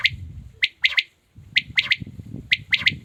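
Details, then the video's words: Quick three-note phrases from a calling male quail: bright, sharp whistled pips in tight groups, about three phrases in a few seconds, with soft low noise underneath. "Amazing quails calling | batair ki zabrdast awaz"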